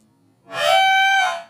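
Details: Part of a rooster's crow, slowed down four times, heard as a single sustained harmonic tone lasting about a second, fading in and out against quiet.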